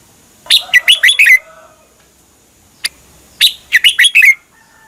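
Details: Red-whiskered bulbul song from Thailand, used to rouse caged birds: two phrases of five or six quick, bright, chirpy notes with slurred downward endings, a single short click between them, otherwise quiet.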